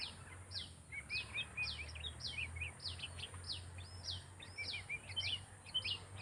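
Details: A sooty-headed bulbul trained as a decoy gives a fast run of bright, down-slurred chirps, nearly two each second, mixed with quick lower twittering notes and a constant high-pitched hiss.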